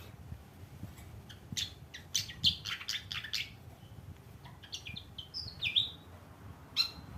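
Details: Actively singing fantail: bursts of bright squeaky chirps and quick ticking notes, then brief whistled slurs near the end, with a faint low rumble beneath.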